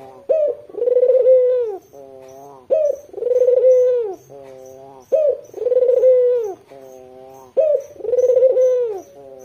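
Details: Four regular coo phrases from a white Barbary dove with red eyes, calling hard to draw in local doves; each opens with a brief sharp note, rolls into a vibrating hum, then trails into a gentle steady tone, with faint high ticking behind.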